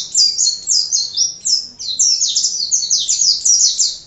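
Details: Continuous high-pitched warbling of an Oriental white-eye in 'gacor' style for masteran: strings of fast, thin, down-slurred notes running together without a break.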